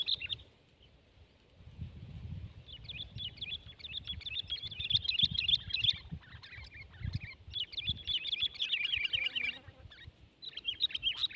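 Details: Sooty-headed bulbul, a 12-month bird in a tense fight with a rival bird; fast, busy chattering warbles in long runs, broken by brief pauses, with a low rumble beneath.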